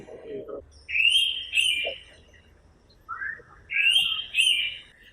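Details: Indian Pitta, a suboscine with a simple song, giving two loud, clear double whistles about two seconds apart, each a high sustained note pair, with a brief murmur of voice at the start.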